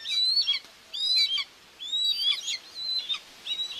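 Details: At a live-camera common buzzard nest in Tiszalök, Hungary, 2 June 2024, a mother feeds two chicks; thin high whistles slur upward and fall away, three or four short bursts in quick succession.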